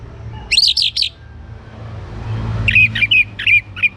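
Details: Song of a young orange-headed thrush used to prompt other birds into singing: three sharp high chirps, a pause, then a run of five descending whistled notes, with a faint low rumble of traffic beneath.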